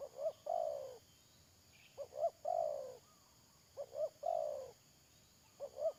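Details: Trapping decoy spotted dove on 31 May 2022 cooing repeatedly: paired short notes leading into a long, mellow croo that drops in pitch, about every two seconds, with a faint chirp behind.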